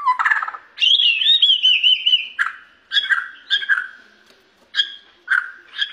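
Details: Borneo white-rumped shama in full song: a rich warbled opening, then a long wavering whistle and loud clear whistled notes repeated at short, uneven intervals.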